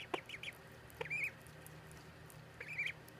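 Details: Ducklings peeping: short high arched peeps, some in quick runs of three, others drawn out and wavering, spaced irregularly over low steady background hum.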